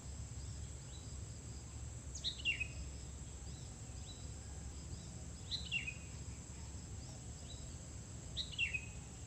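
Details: Sooty-headed bulbul beside a house while being lured: three short bright chirpy phrases, each dropping quickly in pitch, spaced about three seconds apart, over steady low rumbling background noise.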